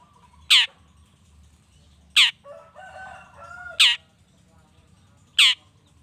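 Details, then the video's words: Long-tailed shrike (cendet) lure recording meant to rouse other shrikes into answering: four loud, harsh rasping notes spaced about one and a half seconds apart, with faint soft warbled phrases between them over a low background hum. "PANCINGAN CENDET❗NAIKAN EMOSI CENDET MANAPUN AGAR CEPAT NYAUT LANGSUNG IKUT BUNYI"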